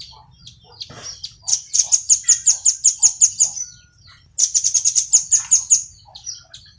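A velvet-fronted nuthatch gives two bursts of sharp, very high chipping notes, about a dozen in quick succession, separated by a short pause.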